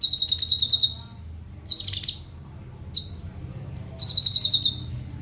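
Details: Cucak cungkok singing in a tutor recording, praised for clear rhythm, speedy rolls and tight bursts: rapid high pulsed trills about a second long, repeated with short pauses, one brief clipped burst between them.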